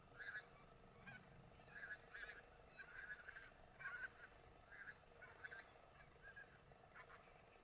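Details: Barnacle geese in a flock with white-fronted and bean geese at Antoniny near Szamocin, Poland, on 7 March 2016, yelping in short, sharp, dog-like barks, several birds overlapping irregularly about twice a second over a low rumble.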